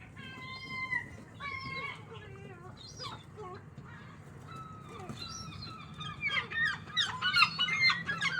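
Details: Seagulls, very loud and strange-sounding, give a busy mix of calls: clear descending harmonic cries, then sharp chattering squeals that grow louder and denser toward the end.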